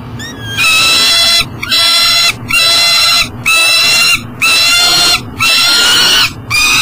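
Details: Peregrine falcon at a nest box on an energy recovery station beside the Mississippi River in Elk River, Minnesota, unable to get into the box with breakfast at 7am in July 2012. It gives loud, harmonic wailing calls, each about a second long, repeated with short gaps.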